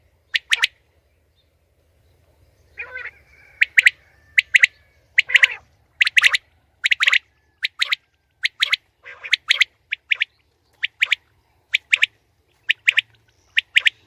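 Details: Female common quail calling for hunting: crisp high pips in doubles and triples repeated steadily about every half second over fourteen seconds, with occasional softer rasping notes mixed in.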